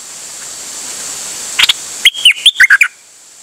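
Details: Dok taeng bird singing on 8 September 2023: a short chirp, then a rapid run of six clear whistled notes stepping up and down, all within about a second.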